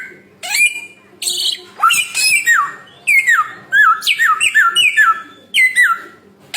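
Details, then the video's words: Samyong bird delivering separate bursts of harsh chattering notes blended with whistles that swoop downward, the bursts coming roughly every second with brief silences between. "burung samyong 1001 suara"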